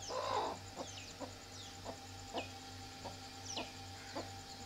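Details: A Golden Heavy Buff chicken hen gives short, low clucks roughly every half second after an opening squawk, with thin, high, downslurred peeps and a steady low hum behind.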